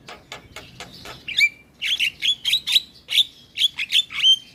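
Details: Black-winged starling, kept as a lively singing cage bird, used as a lure to prompt a silent starling; a run of quiet clicks, then loud harsh chattering notes and short sharp whistles repeated in quick bursts.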